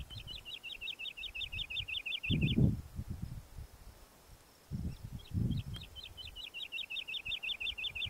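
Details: Woodlark giving two runs of rapid, liquid, rolling notes. A short pause separates them, during which low rumbling thumps of wind or handling noise are heard.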